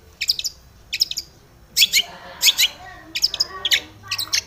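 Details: Long-tailed shrike in aggressive rival-seeking song used as a lure for other shrikes: short, harsh, grating double and triple notes separated by brief pauses.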